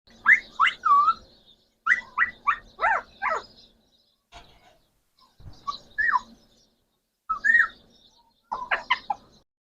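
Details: Talking parrot producing bursts of harmonic, speech-like syllables in quick runs of four or five, separated by short pauses, with quieter clipped utterances later on; a faint low hum beneath.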